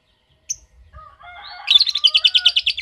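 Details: Lovebird: a single sharp chirp, then softer lower whistled notes, before a rapid high chattering ngekek trill begins and keeps going with evenly spaced pulses.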